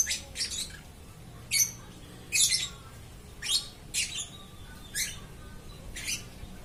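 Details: Lovebird chirping nonstop, giving sharp, raspy high squawks one by one, spaced roughly every half second to second, some doubled, over a low steady room hum.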